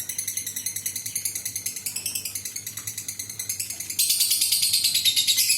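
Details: Lovebird giving the long ngekek trill meant to lure other lovebirds: a regular rapid rattle of high pulses, quieter at first, then jumping sharply louder and brighter after about four seconds.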